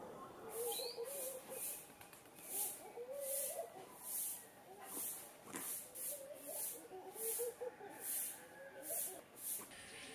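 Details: Laughing dove at water bowls around a lodge near Tujering, The Gambia, in December: soft, low bubbling coos rolling up and down in short phrases, under a steady, rhythmic high-pitched insect-like pulsing.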